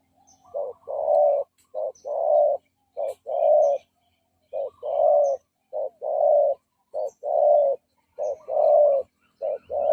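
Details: Spotted dove giving decoy coos meant to draw in and provoke rival males: a steady series of soft, low, hollow notes, roughly one every second, with brief clean pauses and no other noticeable sounds.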